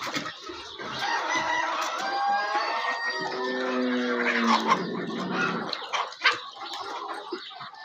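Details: Chickens on a farm; a drawn-out harmonic crow with a lower, steady second phrase in the middle, among scattered clucks and clatter, with faint background noise throughout.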